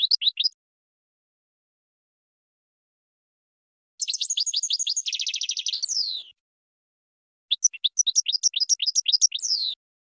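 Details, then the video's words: Goldfinch singing in bursts separated by silence: a brief chirp, then a fast buzzy trill of tightly repeated notes ending in a falling slur, and later a run of bright twittering chirps. "Brilliant GOLDFINCH Song"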